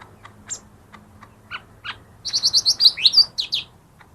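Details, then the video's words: Lesser green leafbird lure song for birds that are slow to sing: scattered soft chips at first, then a rapid string of about seven bright repeated notes running into rising and falling slurred whistles. "suara burung cucak ijo mini yang paling ampuh buat pancing yang malas bunyi"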